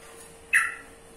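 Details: Single harsh, squawking note from a yellow-vented bulbul, abrupt at the start and fading over a quarter second, against a faint continuous hum.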